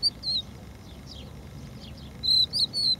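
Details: Crested lark, a protected bird on the beach at Empuriabrava, Spain: a single whistled note, then near silence with faint distant notes, followed by a lively burst of slurred whistles near the end.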